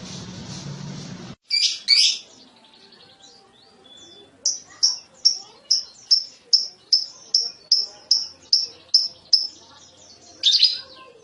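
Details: Lovebird chattering in a clean recording: a few harsh squawks, then a steady run of about thirteen high, downslurred chirps several per second, ending in another harsh squawk.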